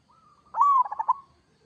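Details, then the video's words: Zebra dove of local stock singing one full phrase: a brief soft lead-in, then a loud arched coo that rolls into a rapid run of staccato pulses before trailing off. "Suara perkutut lokal gacor kerot"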